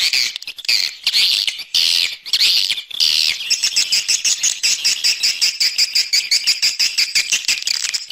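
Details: Swiftlet external sound opening with harsh buzzy chatter, then turning into a steady run of sharp, pulsing chirps about twice a second.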